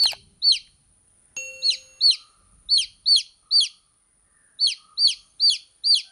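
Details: Baby chicks chirping: loud, high, downward-sliding peeps come in irregular bursts, about eleven in six seconds, with short silent gaps between groups.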